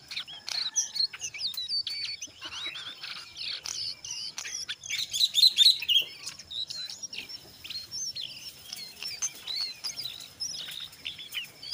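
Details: Brown jongkangan singing in a busy, energetic ngeriwik style mixed with ngeplong, used as a lure to get other jongkangan to sing: dense, rapid high chattering of squeaky twisted notes and short whistles, almost continuous.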